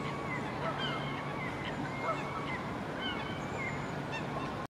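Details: Two rival Herring gulls side by side give drawn-out, nasal moaning calls at each other, some rising and some falling, over steady wind and surf; the exchange ends in a brief fight and chase.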